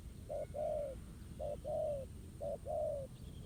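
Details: Spotted dove, a wild bird facing a trap decoy set on the ground, giving three low hollow coo phrases, each a brief note then a drawn-out descending coo, evenly spaced over faint constant noise.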